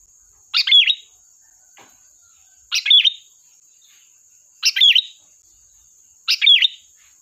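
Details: Sooty-headed bulbul song played as a trapping lure, four brisk chattering phrases roughly every two seconds, each with a bright whistled twist at its centre; a faint steady high tone runs underneath.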